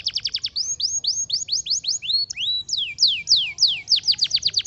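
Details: Canary song of clear, high descending whistled sweeps, first quick, then slower and louder, with a rising slur midway and a fast run of sweeps to finish.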